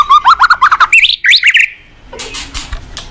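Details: Loud morning song of a white-rumped shama, played as a lure for cage birds: a fast burst of rapid warbled notes, then bright upswept whistles, followed by a quieter rasping pause.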